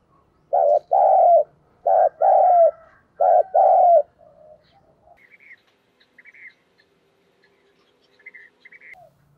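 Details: Captive lure spotted dove calling to provoke wild doves: three loud, mellow cooing phrases in about three seconds, each a pair of low hooting notes with a drawn-out falling end. Faint high chirps follow in quiet surroundings.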